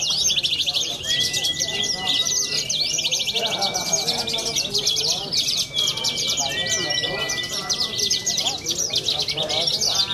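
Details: Young bushlark with a winning contest record from Cilacap, Java, singing a long, rich medley of rapid high trills and scratchy phrases. Thin sustained tones come and go, and people talk quietly in the background.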